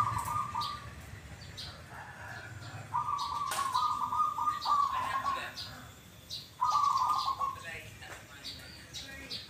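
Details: Zebra dove, known as perkutut, whose song repeats kuk kuk twice, utters a rolling coo, then a longer trilled coo and a third, with voices and sharp clicks in the background.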